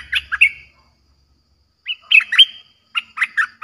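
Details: Streak-eared bulbul singing a fierce lure song to draw in wild birds: short bubbly phrases of chattering notes separated by a second of silence, each phrase quick and warbled.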